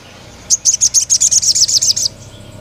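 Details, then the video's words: Male-challenging call of a crimson sunbird (sogon): one tight series of about twelve bright, very high chips delivered rapidly over a second and a half against faint low background noise. "CUIT CUIT BURUNG SOGON MEMANGGIL LAWAN JANTAN"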